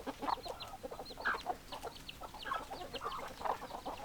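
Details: Chickens in a flock giving dense, overlapping clucks and a few louder squawking notes, backed by frequent short high-pitched chirps from small birds or chicks.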